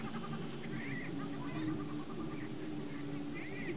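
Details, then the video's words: Greater prairie chickens booming to attract the female, a low sustained hooting drone with short rising whoops and cackles above it, likely from several birds together. "Prairie Chicken Booming"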